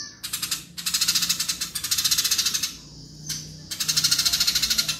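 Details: House sparrows fighting, giving a fast, harsh, rapid-fire chatter in dense bursts, each burst a rattle of quick pulses, broken by short pauses, with a faint low hum underneath.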